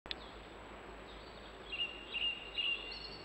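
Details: European robin recorded live outdoors: three short thin high notes from about 1.7 seconds, evenly spaced about half a second apart, over a steady background hiss.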